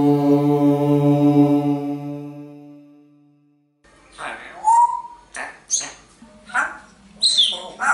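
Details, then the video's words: African grey parrot reciting the Maha Vakyas: a long, steady, low chanted hum for about three seconds, then a quick run of clipped, speech-like syllables with a squeaky rising whistle. "the African Grey Parrot says the Maha Vakyas"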